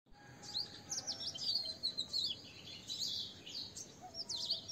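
Asian green bee-eater giving high, thin chirps and short trills in quick, overlapping bursts, as if several birds call together; a faint low hum runs underneath.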